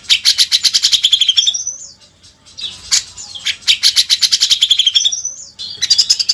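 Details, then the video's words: Cucak jenggot song used as a master recording for training songbirds: loud, rapid trains of high chattering notes in bursts, with a brief pause between phrases. "Suara masteran burung cucak jenggot"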